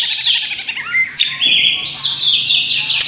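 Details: White-rumped shama, a Borneo-type variety, delivering loud, sustained high whistles blended with rough buzzy notes and short chirps, broken by a couple of sharp click sounds.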